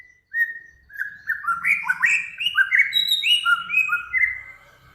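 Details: Bird in full song from a training master combining Samyong, Kancilan Flores and Garugiwa. After one drawn-out whistle, a continuous, rich flow of overlapping chirps and swooping whistles runs to the end, with faint low thumps beneath.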